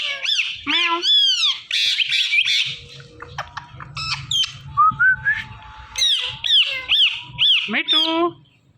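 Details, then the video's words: Parrot talking indoors, repeating "Mithu" many times: a fast run of arched squawky syllables and strident chatter, a few clear whistled notes in the middle, and a quiet low rumble in the background. "Talking Parrot Saying Mithu"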